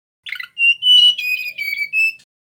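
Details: A male mangrove whistler sings, recorded for luring birds: a short buzzy opening note, then a string of pure, drawn-out whistles that gently fall and rise in pitch, with no other sounds.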